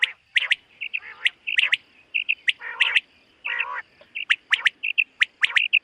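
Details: Common quail in a summer meadow in the morning, giving sharp clipped chirps near the top of its voice mixed with short rasping, nasal bursts, delivered in irregular clusters with brief quiet gaps between them.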